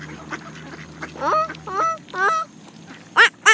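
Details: Canada geese feeding on seeds alongside mallard ducks: three bending, harmonic honks in quick succession, then two short, loud, harsh quacks, over soft pecking and rustling.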